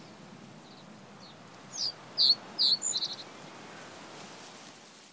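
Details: Reed bunting song phrase: a few high, emphatic separate notes followed by a fast trill of rising clipped chips, about a second and a half in total, then quiet low background noise.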